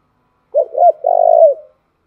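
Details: Lure song of a spotted dove decoy, used to excite new wild-caught birds: a quick pair of mellow coos followed by one drawn-out, burred note that trails downward. No other sounds.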